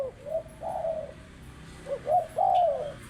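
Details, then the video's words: Spotted dove cooing: soft, mellow notes grouped in phrases, the last note a longer, drawn-out coo that rises slightly then falls. "Burung Tekukur Paling Cantik"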